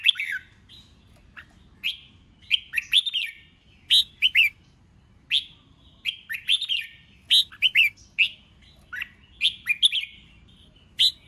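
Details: Red-whiskered bulbul trained for singing contests, caged, pouring out a long sequence of quick whistled and warbled phrases, groups of two to four notes repeated every second or so.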